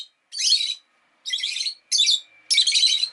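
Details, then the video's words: Four drawn-out, rasping screechy chirps from a pet Rosy-faced lovebird, each lasting about half a second, with a faint steady hum between them. "Lovebird Chirping Sounds"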